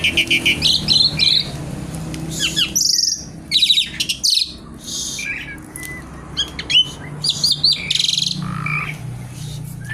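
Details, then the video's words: Javan pied starling singing energetically, pouring out rapid, varied phrases: harsh buzzy bursts, crackling chatter and thin whistles in quick succession, with brief pauses between clusters. "jalak suren gacor kretekan nggaruda"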